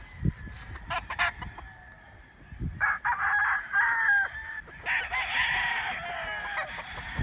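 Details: Chickens and roosters, a few scattered clucks first, then two strong rooster crows, each held for over a second with a wavering, strained tone.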